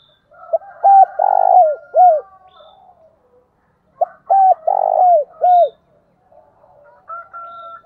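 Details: A decoy spotted dove coos loudly, a phrase of four or five low hooting notes with a longer middle coo, given twice about four seconds apart; a faint high whistle behind.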